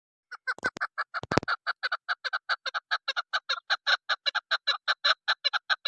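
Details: Female chukar partridge call, used by hunters: a fast series of short harsh clucking notes, about eight or nine a second, each stacked from low to high pitch, with two loud clicks or knocks near the start.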